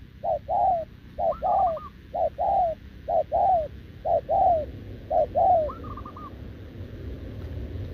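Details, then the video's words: Wild-caught, short-legged spotted dove with a compact body, recorded 6 November 2024, cooing continuously back to a decoy bird. Each phrase is a short low coo followed by a longer one, repeated about once a second, with two higher rolling trills among them. "Bổi đồng chân lùn | Bo mình chắc đẹp | gù liền với mồi Đồng TT"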